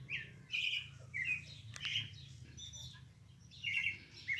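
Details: Song of a Pale-breasted thrush: bright, whistled two- and three-note phrases separated by short pauses, with a sharp click midway and a quiet hum below.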